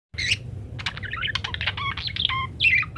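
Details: Vocal parakeet used as a master recording for training munias to sing: dense buzzy chatter and warbled notes, harmonic trills and short whistles run almost continuously for three seconds over a low steady hum.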